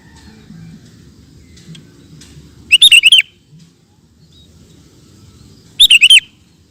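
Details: Sooty-headed bulbul song recorded as master material for training cage birds: two short bursts of bubbly, warbling notes about three seconds apart, each a quick cluster of four loud chirps, with quiet low background hum between.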